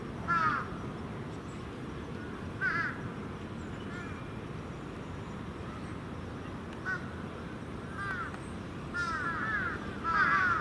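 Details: Crows, youngsters and parents alike, settling into an evening roost at Venus Terrace; harsh caws spaced irregularly every one to two seconds, growing denser and overlapping toward the end, with low rumble beneath.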